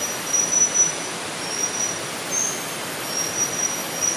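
A young chestnut-naped forktail gives thin, very high, drawn-out whistles, several short notes scattered over four seconds, nearly drowned by the steady roar of rushing water.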